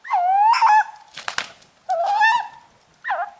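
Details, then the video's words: Tawny owl (Strix aluco) giving three drawn-out, slightly rising, wavering calls about a second apart, with a brief harsh rasping burst between the first two. "The haunting sounds of Tawny owls"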